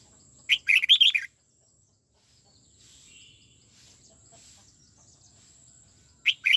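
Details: Song-trained caged red-whiskered bulbul in the '89' twisting voice: a short, loud, chirpy warble with a leading sharp note, then a quiet pause with soft distant chirps before another phrase begins.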